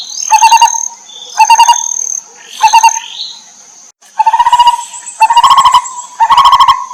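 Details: Lineated barbet feeding chicks in the wild: evenly repeated clusters of rapid resonant pulses, with thin rising squeals between the first bursts and a brief pause midway, over a steady high-pitched tone.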